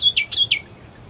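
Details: At first light among the reeds of Herdsman Lake in Perth, Western Australia, an Australian reed warbler gives a short burst of three or four loud, rich slurred notes, followed by quiet.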